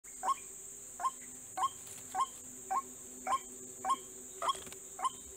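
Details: Aggressive, agitated white-breasted waterhen giving short, hoarse, slightly rising notes repeated steadily about twice a second, nine in a row, over a constant high-pitched whine and a low hum.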